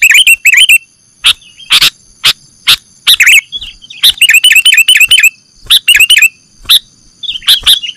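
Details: Lure sound of sooty-headed bulbul: sharp single clicks alternate with quick bubbly chirp runs, wavering up and down, in loud clear bursts.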